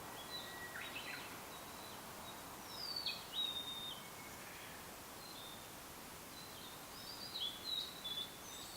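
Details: Song of a blue-and-white flycatcher in the prefectural forest at Yaita, Tochigi, Japan, captured with a camera-mounted external microphone: high whistled phrases with quick slurred notes in two bursts, separated by softer scattered chirps and steady forest hiss.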